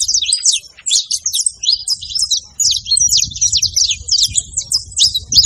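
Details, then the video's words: Male and female saffron finch in the wild producing fast, high, twittering chirps in a steady series, with short pauses and a low background murmur. "canário da terra macho e femia na natureza"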